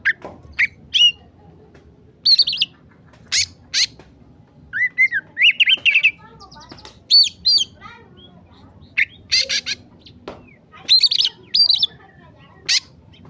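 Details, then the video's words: Agitated oriental magpie-robin singing: scattered sharp chips and whistled notes, some rising, others buzzy, in short separated bursts with quiet gaps between. "masteran kacer emosi"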